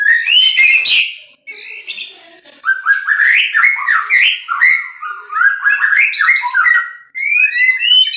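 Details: Captive-bred white-rumped shama in full song, pouring out rich, fluting phrases of rising and falling whistles mixed with sharp chattering notes, broken by brief pauses.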